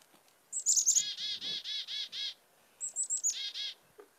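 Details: Chickadee alarm call, given twice, apparently at a falcon: thin high chick-a notes, then a run of buzzy, harsh dee notes, six in the first series and three in the second.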